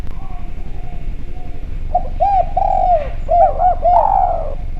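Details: Javan spotted dove calling clearly as a lure for other doves. After a quiet start, a run of arched coos leads into a drawn-out, falling final note, with a faint hum throughout.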